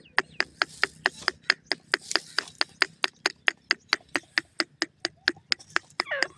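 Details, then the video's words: Francolin pair, Dakhni and Iranian teetar: a long, steady series of sharp, clipped notes repeated roughly three times per second over a faint low background hum. "dakhni teetar jore ki awaz, irani teetar jore ki voice"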